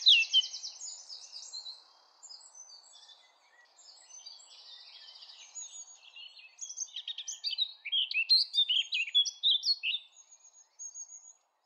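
A Eurasian blackcap sings a quick, scratchy, high chattering warble that swells into louder, clearer fluty notes near the end, over a faint low background hum.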